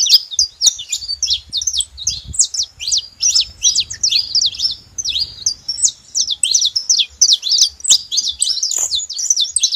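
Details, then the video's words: Saffron finches together keep up a long, busy chatter of sharp, high twittering notes, fast and irregular, barely pausing over nearly ten seconds; a brief low thump near the start. "Canário da terra junto fazendo barulho"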